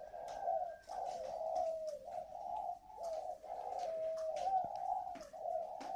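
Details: Spotted dove kept as a decoy bird in Ba Vì, Hanoi, Vietnam, with the whistle-like voice style known locally as "giọng còi"; mellow low cooing phrases run almost without pause, each note gliding slightly downward, with faint clicks and knocks behind.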